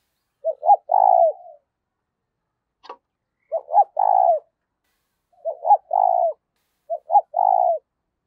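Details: A spotted dove used to lure wild doves repeats a hollow three-note cooing phrase four times at even intervals. Each phrase has short rising notes and ends in a longer, husky, falling coo, and a single sharp tap sounds once.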